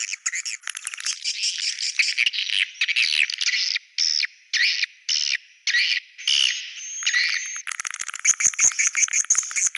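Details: Swiftlet sound in the style called Goa China: dense bursts of high, buzzy chirps and twitters broken by short gaps, then a faster ticking, rattling stretch near the end.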